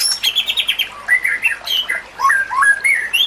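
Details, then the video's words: White-rumped shama song used to train other shamas, water murmuring behind: a fast buzzy series of repeated high notes, then a string of fluid whistled slurs wandering up and down, ending on a rising whistle. "Kicauan Murai Batu yang Menggoda Telinga"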